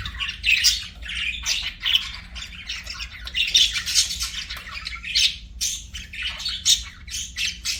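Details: Pet budgerigars sing with rolling, scratchy warbles broken by squeaky chirps, coming in uneven bursts over a steady low background hum.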